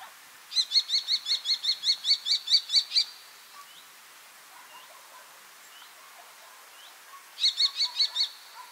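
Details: Common kestrel giving a rapid, high, sharp kee-kee-kee series of about a dozen even notes lasting nearly three seconds, then silence with faint distant chirps, then a second shorter burst of five notes.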